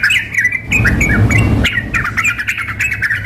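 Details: Sooty-headed bulbul calls in a contest simulation, a female summoning the male alongside an excited male: a few slurred whistles, then a fast stuttering run of chirps over low noise.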